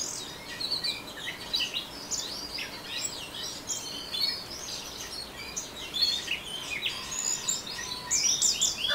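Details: Orange-headed thrush in ngeriwik song, a busy stream of sharp high chirps, slurred squeaks and quick trills that barely pause, with a faint background hiss.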